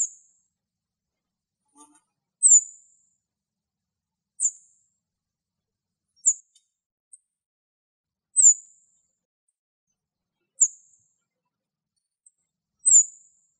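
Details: A male cirl bunting in Greece gives thin, very high, slightly falling 'zit' call notes, one roughly every two seconds, against a quiet background.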